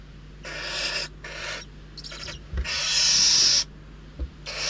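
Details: In the Ebro Delta's Riet Vell reserve, hungry barn owl young fight over delivered prey, producing a cluster of about five overlapping harsh snoring hisses, the longest lasting over a second, plus faint soft knocks.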